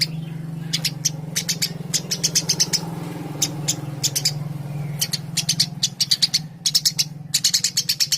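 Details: Eurasian tree sparrow in lively song: steady streams of rapid, sharp chirps in clusters, with a constant low electrical hum underneath.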